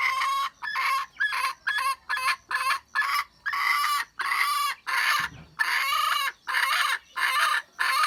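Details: Wild red junglefowl hen, recorded 27 January 2015: loud harsh broadband calls, each about half a second, repeated in a steady series with short gaps, plus one low thump midway.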